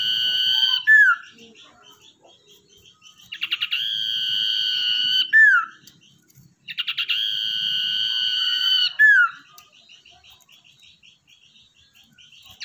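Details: Actively singing common iora, a tamed wild-caught lure bird, delivers three long steady whistles, each ending in a descending slur, separated by soft fast chattering notes.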